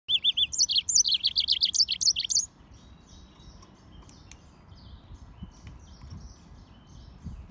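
A yellow-fronted canary and canary hybrid sings a rapid, high, warbling run of trilled notes for about two seconds. Fainter chirps and background hum follow.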